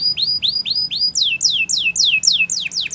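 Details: Belgian canary tutor song for young birds: clear upward-slurred whistles repeated steadily, then a change to quicker downslurred sweeps repeated about four times a second.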